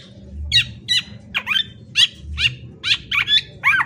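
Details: Black-naped oriole singing a quick series of high, sharply falling whistled notes, roughly two or three per second, each slightly varied, over a low background rumble.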